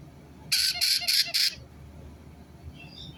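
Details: White-bellied caique parrot giving four loud, harsh, grating screeches in quick succession, followed by quiet room noise with a faint high chirp near the end.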